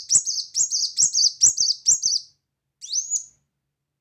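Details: Lively Brown-throated sunbird singing loudly: five fast sharp chirp notes in a row, a pause, then a single rising whistled sweep, high-pitched and crisp in a quiet setting.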